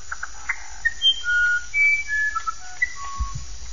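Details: Uirapuru (musician wren), called the singer of the sertão, delivering a series of clear, flute-like whistles, some held and level, others short and rising, opening with quick clicks and ending on a lower note.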